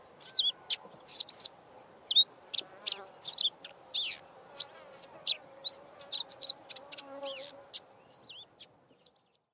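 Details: Karoo scrub robin delivering its usual song, throwing in mimicry of Diederik cuckoo and pin-tailed whydah; a long lively stream of high sharp chirps, trills and looping whistled phrases, tapering to sparse thin notes at the end.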